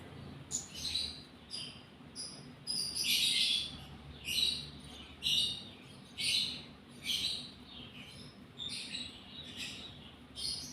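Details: Lovebird in breeding condition calling with short, high, scratchy squeaks, roughly one each second, some paired, over a constant low background hum.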